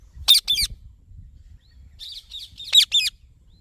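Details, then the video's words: Two loud, raspy high-pitched squawks from a green ringneck parrot, then a soft chattering murmur and another harsh double call. "Green Ringneck Parrot Talking Natural Sounds"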